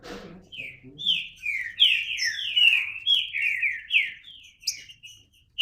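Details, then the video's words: Green-winged saltator singing a series of loud, slurred whistles in irregular groups, the phrases falling in pitch, with a brief knock at the start. "Trinca Ferro (cantando)"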